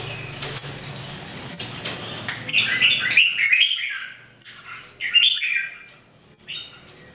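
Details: Red-whiskered Bulbuls, three birds trained to sing every day in 2018, give a rapid burst of bubbly whistled notes, then a pause and two shorter phrases, after an opening of noisy rustling.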